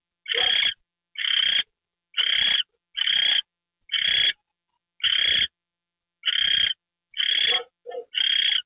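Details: Getting a mouse treat on the night of January 28, 2013, an owl repeats grating, breathy screeches roughly every second, interspersed with a few brief softer clicks, no other sounds.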